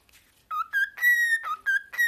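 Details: Domestic cockatiel singing with clear, pure whistles: short level notes alternating in pitch, including a longer held tone, in a quiet room.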